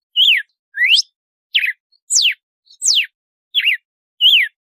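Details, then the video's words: Red-cowled cardinal in açoite compasso song, seven loud pure whistles at an even pace, mixing arched notes, rising upsweeps and long descending slides, with nothing else audible. "Canto do Galo-de-Campina de Açoite"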